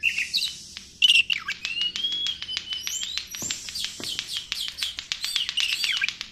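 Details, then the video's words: White-rumped shama singing as a lure for other birds: loud sweeping whistles and slurred rising and falling phrases mixed with rapid sharp clicking notes, continuous throughout. "PANCINGAN SUARA BURUNG KACER | KURANG EMOSI | SUARA KACER KONSLET!!!"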